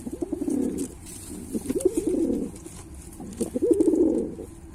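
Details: Pilkha pigeon calling with throaty, vibrating coos in three long rolling phrases, each wavering up and down, separated by short quiet gaps.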